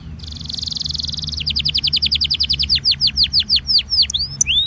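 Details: Song of a Belgian canary meant to warm up canaries: a high buzzy rattle, then a steadily slowing series of loud downslurred whistled notes ending in a rising sweep, over faint low hum.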